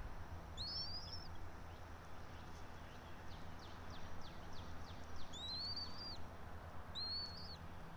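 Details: Bald eagle at its pine-top nest in Johnson City, Tennessee, early on 04.03.2024; three high, rising, thin squealing calls at start, middle and end, with a burst of light ticking in between and steady low rumble.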